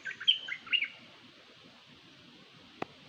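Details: Decoy Dok Taeng bird calling with a rapid series of high, sharp chirps and twitters for about a second. Then quiet, and a single dry click near the end.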